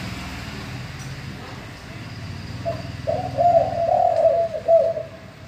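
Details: Spotted dove, a male with a bongor-style deep voice used to draw song from other doves: after a quiet start, a rolling burst of low coos runs together, then one final coo.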